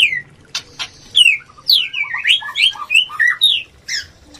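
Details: Mating song of a white-rumped shama, played to stimulate breeding: quick sequence of short slurred whistles, mostly falling, with a few sharp clicks, ending on soft high notes.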